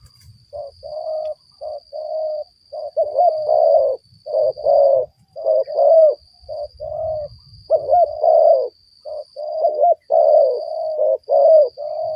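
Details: Spotted dove cooing during bird luring for trapping: a long run of low, mellow coo notes in short and drawn-out phrases, closely spaced and partly overlapping, with a constant faint high electronic whine behind.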